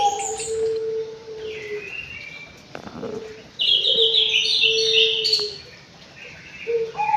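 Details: In an aviary, a white-rumped shama gives drawn-out low whistles alternating with bright high phrases, including a fast stuttering trill of rapid notes, plus a brief rustle partway through.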